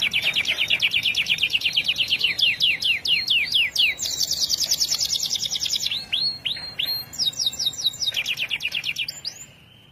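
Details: Canary in full, vigorous song: long runs of rapid rising chirps repeated many times a second, shifting into a high buzzy rolling trill and then into fresh series of sweeping notes, over a steady background hiss.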